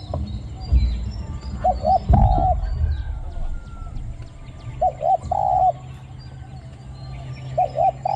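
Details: Decoy spotted dove set out at the third trapping spot to call against wild spotted doves, cooing in a small-voiced, low 'ku-ang' style: short paired hoots ending in a longer drawn note, separated by gaps, with background rustling and bumps.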